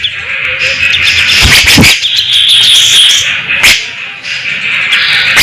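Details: A grey-cheeked bulbul (cucak jenggot) in prolific song with competition shots and fast besetan: a continuous shimmering high buzzy stream broken by a few sharp cracking bursts, steady low background hum.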